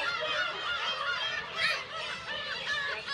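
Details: Black-tailed gulls crowding their Kabushima breeding colony in Aomori, Japan, on a June day with chicks around; a thick wall of high mewing and yelping calls, one louder squeal in the middle.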